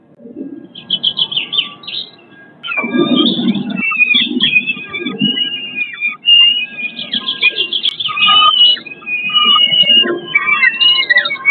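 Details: Peregrine falcons at their nest on St. Catherine's church in Eindhoven, 4 May 2022, during feeding. A busy stream of shrill, squealing and chittering notes, often in quick runs, with low rumbling noise beneath.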